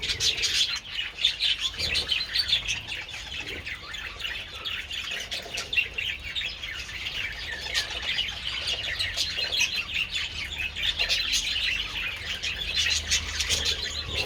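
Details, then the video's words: A group of budgies enjoying treats in the sun, 27 February: nonstop twittering warble with rapid clicks and squeaky chirps layered over one another for the whole stretch. "Adorable budgies enjoying treats in the sun"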